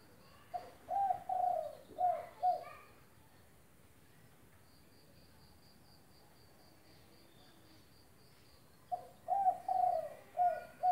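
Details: Spotted dove (derkuku), an eager caller recorded to train silent doves: two phrases of about four low, mellow coos each, separated by several seconds of faint, regular, high insect ticking.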